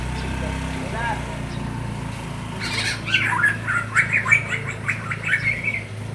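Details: Black-naped oriole chick calling to attract its parent birds: after a quiet start, a run of harsh, nasal squawks, closely spaced and uneven, fills the second half over a steady low hum.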